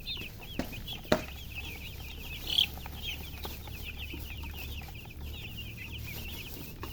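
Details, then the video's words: Chicks chirping in a busy chorus of high, quick slurred peeps, a sharp knock and one louder close peep breaking through, low hum beneath. "Baby "Chicks Chirping" Sound"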